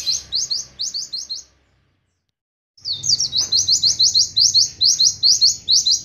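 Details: Oriental white-eye in a long continuous singing style, a fast series of bright high chirping notes repeated rapidly in runs, with a pause of about a second in the middle before the chattering phrases resume.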